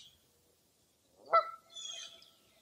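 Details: One loud honk followed by a soft high trill, recorded on a foggy early April morning at Mirror Lake State Park in Baraboo, Wisconsin.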